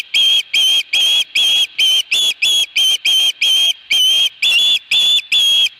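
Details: Osprey at a nest during a fish delivery, recorded 22 August 2020: loud, clear whistled chirps, slightly downslurred, repeated in a steady series of about two to three per second. Little background noise.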